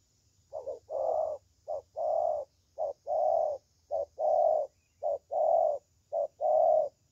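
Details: Young spotted dove with a good 'thổ' style voice; low hollow coos in steady short-long pairs about once a second, the short note clipped and the long one drawn out, over a faint low hum and a thin high electrical whine.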